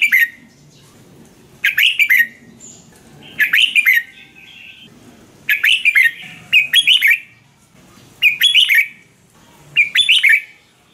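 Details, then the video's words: Song of the Red-whiskered bulbul, played to excite or train caged birds: cheerful warbled phrases of three to four liquid notes, repeated roughly every one to two seconds, loud and clean. "เสียงนกกรงหัวจุก สำหรับต่อ หรือ เปิดให้นกคึก เสียงเพราะๆ"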